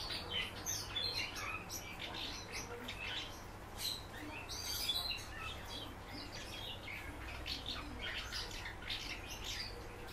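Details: Common house martin in captivity chattering in a long, irregular series of high chirps and twittering bursts, louder at first and then easing, over a steady low hum.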